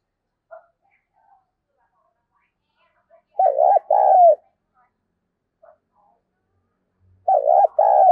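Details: Spotted dove used to lure others, calling in the 'thúc bổi' manner. Two paired coo phrases come about four seconds apart, with tiny clicks and faint short notes between them.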